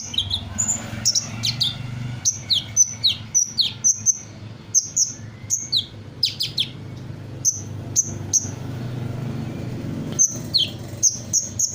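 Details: Sunbird in full song, copying the calls of various birds: rapid, high, piercing chirps and down-slurred whistles repeated in bursts across about twelve seconds, with a low hum in the background.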